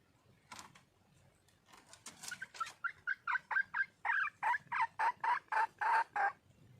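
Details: A female red junglefowl calling for a male gives faint notes first, then an accelerating series of about a dozen loud, clipped clucks at a steady rapid beat.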